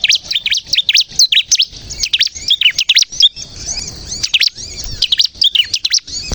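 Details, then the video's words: Bar-winged prinia singing vigorously, a lure to set other prinias singing; quick high chirps and sharp downslurs in clustered phrases, softer thin notes mid-clip, then loud bursts again. "suara burung ciblek kristal gacor untuk pikat dan pancingan ciblek bahan agar bunyi"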